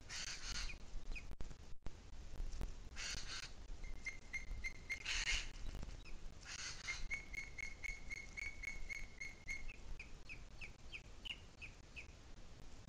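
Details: Booted eagle, Sierra de Guadarrama, afternoon of 2 July 2021: short whistled bursts broken by loud rushing noise, then a long run of steady, evenly spaced piping notes that slow and thin toward the end.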